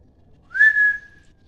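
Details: Parrot whistling a single clear note that rises briefly, then holds steady for under a second before fading, in a quiet indoor setting.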